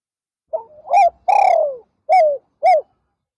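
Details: Spotted dove used as a decoy to lure wild doves, perched in an afternoon session. It gives a mellow cooing phrase: two short hooting notes, one long drawn-out falling coo, then two more short coos. The surroundings are quiet.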